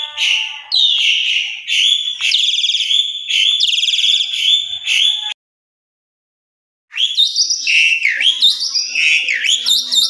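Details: Asian pied starling (jalak suren) song recorded indoors, played as a lure to get a bird singing often and with full varied phrasing; loud, varied whistled and rich harmonic phrases, some rising and falling, broken by a short silent gap midway.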